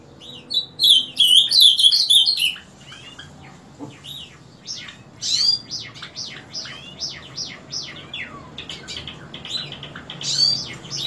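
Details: Painted bunting heard singing every morning from 7 am: one quick high warbled phrase, then a long run of sharp descending chip notes and twitters at uneven intervals.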